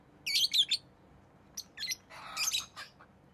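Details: Tame rosy-faced lovebird giving a quick triple of piercing chirps, then scratchier notes and a broader rasping squawk, with quiet background noise.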